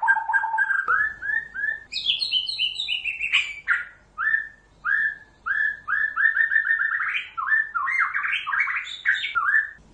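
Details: White-rumped shama (Copsychus malabaricus) from Pasaman singing a rich, varied run of clear whistles, slurred notes and quick chattering trills, in bursts about a second long with short pauses between.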